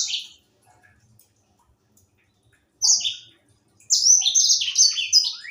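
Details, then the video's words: Captive young grey singing finch in song: a brief high phrase, silence, a short burst, then a fast tumbling run of sweet slurred whistles and trills, very high and clear. "Burung sanger muda gacor"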